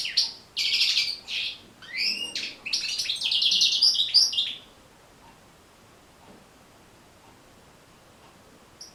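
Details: Training song of a European goldfinch: about four seconds of quick chattering twitters and a buzzy trill, then near silence.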